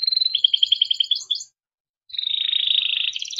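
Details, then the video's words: Timbrado canary singing for training, a short bubbling trill of repeated rolled notes, a pause of about half a second, then a continuous buzzy rattle. "Timbrado canary singing beautiful melodic songs for training"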